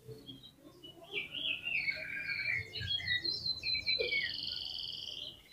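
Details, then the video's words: Oriental magpie-robin singing, used as an agitating provocation song for caged birds: clear slurred whistles and quick twittering phrases, ending in a long high sustained whistle, over steady background hiss and low rumble. "SUARA KACER GACCOR CEPAT BIKIN EMOSI KACER NAIK DI GANTANGAN AUTO KONSLET"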